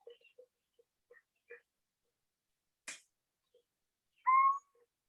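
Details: Little Owl song, a very clear call whose sexes are hard to tell apart: a single short, pure, mellow note late in the recording, preceded by faint clicks and one sharp broadband tap.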